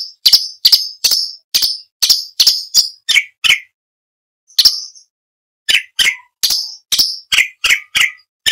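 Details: Orange-bellied leafbird song used as training material for competition songbirds: sharp, bright notes repeated in quick rapid bursts, some high and piercing, others lower and slurred, with a short pause midway; no other sounds.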